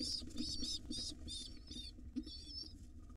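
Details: Wild pigeon nestlings fed by their mother in a nest box, giving loud harsh high squeals in a fast cluster, then a pause and fainter squeaks, with low hum and light bumps.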